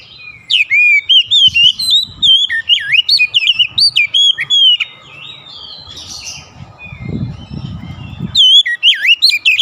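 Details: Oriental magpie-robin (kacer) singing a rich run of varied whistled phrases: looping, sliding and rising notes. A pause follows with a low rumbling noise, then the song resumes with quick, bright whistles.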